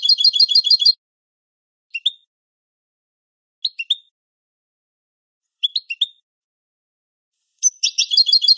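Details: Canto limpio of a European goldfinch, clean song recorded for training captive birds: a bright rapid trill opens, three widely spaced pairs of sharp high notes follow about two seconds apart, and a fast twittering trill closes. No other sounds.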